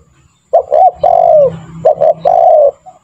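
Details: Spotted dove call played to coax other doves into calling fast: a quick doubled note runs into a drawn-out, downward-sliding coo, and the whole phrase sounds twice in close succession.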